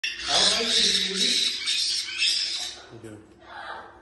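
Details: Caique parrots giving loud, harsh, continuous high screeching squawks for over two seconds, fading into quieter, rougher calls, with a brief low voice near the end.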